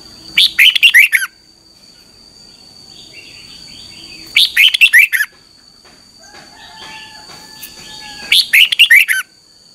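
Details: Morning song of a red-whiskered bulbul used as lure training: three short bursts of bright warbled whistles about every four seconds. Faint soft notes from other birds sound in the gaps, with a thin steady hum.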